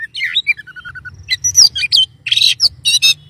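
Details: An Oriental magpie-robin opens with a slurred whistle and a neat descending line of piping notes, then breaks into loud scratchy chatters and thin high whistles.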